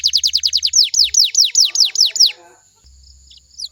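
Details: Canary song used to draw answering song from other canaries: a quick rolling trill of falling notes slows into broader loud downsweeps, then fades to near silence with a faint low hum and a final short chirp.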